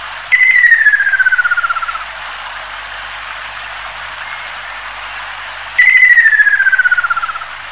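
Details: Ruddy kingfisher, a species breeding in Northeast China, Korea and Japan, giving a descending trilled whistle that slides down over about a second and a half, repeated after a five-second gap, over a steady hiss of background noise.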